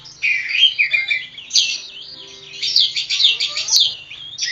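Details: Oriental magpie-robin (kacer poci, Java) pours out warbling, slurred whistles that wander up and down, followed by a louder run of harsh, rapid high chatter; a faint low hum lies underneath.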